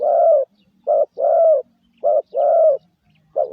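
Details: Spotted dove giving a lure call used to train decoy birds: mellow, low cooing notes in short-long pairs, each long coo slightly falling, repeated about once a second with brief silent gaps.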